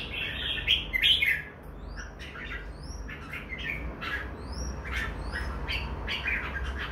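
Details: Pair of red-whiskered bulbuls: rich warbling phrases early on, then scattered chirps, while other birds add thin, high upward-slurred whistles over steady background noise.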